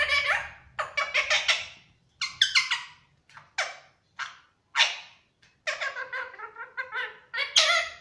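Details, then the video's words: Pet Indian ringneck parrot (rose-ringed parakeet) saying "Miyan mithu" and whistling: quick, squeaky, speech-like syllables broken by short bright whistles, about one burst a second with uneven spacing. "Parrot saying Miyan mithho and whistling"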